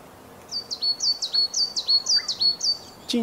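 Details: In early summer in hills of inland Kita-Harima, Hyogo, Japan, a coal tit sings high, thin two-note phrases, rising then dropping, repeated briskly about twice a second over a quiet outdoor background; its song pattern varies.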